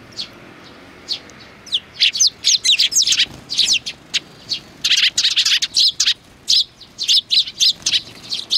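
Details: A lively group of sparrows recorded on 29 May 2019 chirps almost continuously, with rapid high twittering notes in dense bursts and few pauses.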